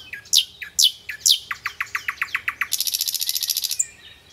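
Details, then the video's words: A Hill blue flycatcher singing in the wild gives three high, sharply falling whistles, then a quick run of short clipped notes that speeds into a thin, buzzy rattling trill. "Burung Sikatan Londo Gacor"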